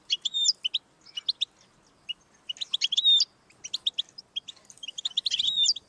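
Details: European goldfinch song, played to encourage a pet goldfinch to sing: rapid bright twittering with tinkling notes, liquid trills and short buzzy phrases in quick irregular bursts, clean with no other sounds.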